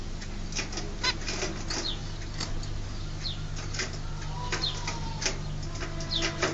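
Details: A pair of young zebra finches in their birth cage, ready to leave for a new home, give short nasal, harmonic calls and quick downslurred notes, scattered irregularly over a steady low hum.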